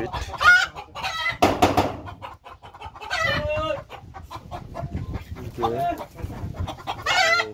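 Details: Two-month-old Fayoumi chickens give repeated harmonic clucks and short squawky calls, rising and falling, with several birds overlapping and faint background chatter.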